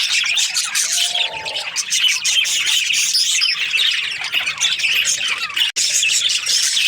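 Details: Budgies in breeding pairs chirp and squawk together in a busy, high-pitched chatter; a brief lower whistle near the start and a sharp click near the end.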